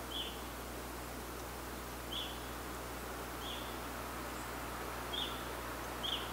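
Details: A Fox Sparrow in Canada gives five short, sharp chip notes at irregular gaps of one to two seconds, over a steady low hum and background hiss.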